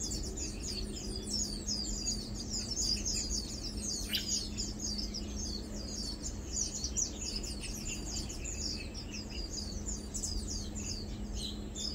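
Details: Twelve seconds of lowland white-eyes feeding, 2 August 2022: continuous overlapping high twitters and thin chirps from several birds, a sharp click around four seconds, and a steady low hum throughout.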